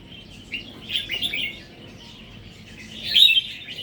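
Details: Red-whiskered bulbul of the natural song line, starting to add doubled phrases. Short bright chirpy warbles come in two bursts, with a steady low background hum.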